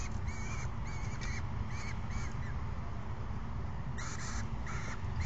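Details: Peregrine falcon chicks calling to an adult around midday on May 29, 2022: a series of thin, arched squeals, about one every half second, then a pause and two more, over a steady low rumble.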